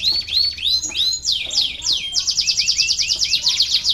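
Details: Stimulating song for lazy canaries: a canary gives a series of upward-curving whistled slurs, then breaks into a fast, even rolling trill of repeated notes.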